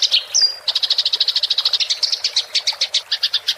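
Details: House sparrow in fighting mode, giving a rolling chatter (ngerol) meant as a training recording for songbirds: a brief high whistle, then fast, even chirps repeated about three times a second, bright and clear throughout.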